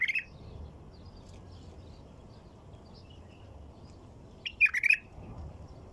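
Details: Song of a white-eared bulbul: a liquid note at the outset, then a rich, rolling phrase of several rapid warbled notes after a long quiet pause, over a low steady background hum.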